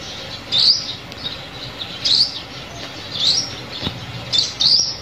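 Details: High, thin rising chips from a sunbird, used as a trapping lure, repeated four or five times at irregular intervals against a quiet hissing background.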